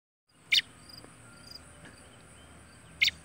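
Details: A young pet robin starting to sing gives two brief, sharp, high chirps about two and a half seconds apart, with faint thin whistles and soft hiss between them.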